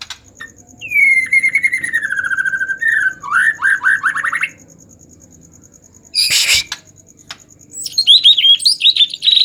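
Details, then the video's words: Excited white-rumped shama singing to provoke other shamas into song: a long descending whistle, then rapid rising chirps, a harsh noisy burst, and high sharp notes near the end. "pancingan murai batu emosi dijamin ampuh"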